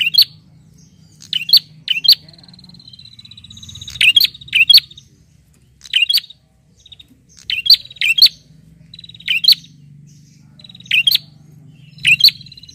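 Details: A vocal bar-winged prinia calls out to a rival with crisp, repeated twin chirps and short triplets. Long, fine, high-pitched rattling trills are woven between the loud notes throughout.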